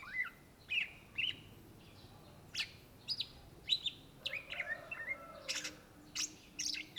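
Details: Greater green leafbird, known in Indonesia as cucak ijo, singing in full voice: varied bright whistled notes and sharp chirps between two and eight kilohertz, spaced bursts with short pauses, quiet background.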